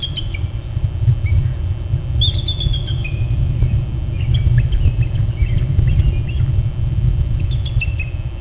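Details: Sunrise on 15 June 2012 at a Hornby Island bald eagle nest, captured by webcam as the male arrives and the pair calls. A few sparse, high, thin descending squeals rise over a constant low rumbling background.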